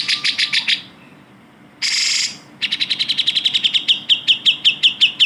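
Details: Grey-cheeked bulbul as a tutor recording for shama, magpie-robin and leafbird training: a few harsh chattering notes, a pause, a dense rasp, then a quick run of sharp chirps that slows into spaced, falling chips.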